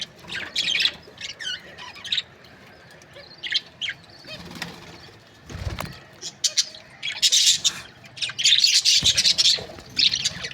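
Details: Australian parrots, budgerigar breeding pairs, giving scattered high chirps and short squawks, with wing flaps and thumps midway, then a louder burst of chatter near the end.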